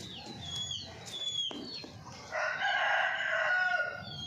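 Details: Golden Misri chicken from India giving a loud, harsh, drawn-out harmonic call of about two seconds after a quieter start, with small birds chirping and twittering in the background throughout.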